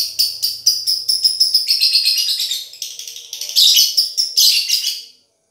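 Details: Male lovebird singing persistently to woo a female: a dense burst of piercing, high chattering notes in quick succession, with louder rasping bursts near the end before stopping abruptly; no other sounds.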